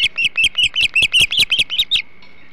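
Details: Hog Island osprey at the nest during a flounder feast, 21 July 2016: a quick series of about ten high, clipped chirps at even spacing, rising slightly, then stopping abruptly, with faint background hum after.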